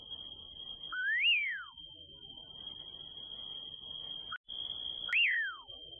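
A common pauraque gives two slurred whistles about four seconds apart, each sweeping up then falling away, over a steady high-pitched drone.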